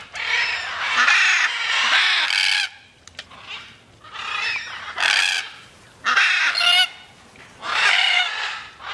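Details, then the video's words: Macaws in free flight giving harsh, raspy squawks in four broad bursts of about a second each, separated by short quiet gaps, with a faint low hum in the background. "flying macaws"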